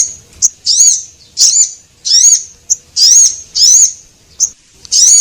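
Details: High, thin lure calls of Javan munia, male and female, used for attracting small birds: squeaky rising notes about every half second, alternating with short sharp ticks, no other noise.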